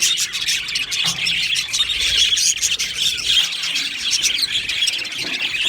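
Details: Australian budgies in an aviary chirping together, a lively continuous mass of high tweets and warbled chatter, with a faint low tone near the start.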